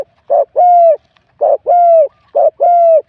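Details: Contest spotted dove, a wild-caught bird scoring 87, with a medium-to-large voice class. Three loud, rounded phrases sound about once a second, each a short rough note followed by a smooth, even, slightly falling coo.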